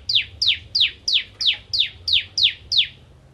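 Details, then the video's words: Bar-winged prinia, Kristal type, gives its nembak ngentrok song: nine loud, high, descending slurred notes at a steady pace of about three per second. No other clear sounds. "Ciblek Kristal Gacor Nembak Ngentrok"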